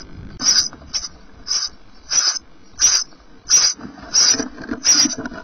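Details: Sparrow chicks eight days old in a nest, three left of five hatched, watched by a webcam in 2012, giving high thin begging peeps in bursts about every seven tenths of a second, over low rustling.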